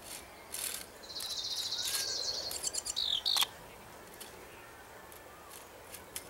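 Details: House wren sounding alarm after a person came too close to its nest on the ground: a harsh, buzzy chatter of about a second and a half, followed by a few sharp chips, then faint clicks.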